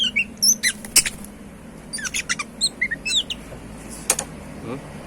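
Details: Kacer, the Oriental magpie-robin, in lively gacor song: rapid mixed chips, twitters and short whistled slurs, several notes a second with brief pauses, over a low humming background.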